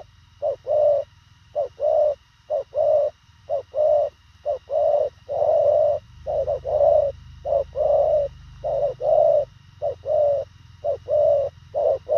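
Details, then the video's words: Rapid, tightly packed cooing by a Thổ khàng spotted dove: about a dozen pairs of low soft coos, each a brief note followed by a fuller held one, roughly once per second, over a faint rumble. "Thổ khàng tốc độ gù bá cháy, ngắn gọn xúc tích"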